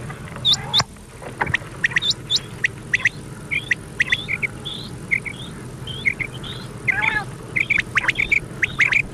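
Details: Common quail calling on a very old tape played at night: quick high notes in clusters, some upward-curving, coming in a regular stream amid hiss, hum and sharp clicks.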